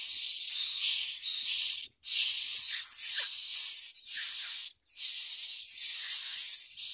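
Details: Common myna nestlings eating food and biting their mother; loud, hissing, wheezy rasps run almost continuously in long bursts broken by two short pauses.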